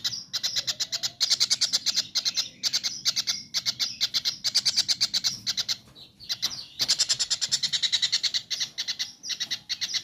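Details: Kingfisher in a training recording for cage birds: harsh, rapid rattling runs of repeated high notes, delivered in long bursts with short breaks near the third and sixth seconds.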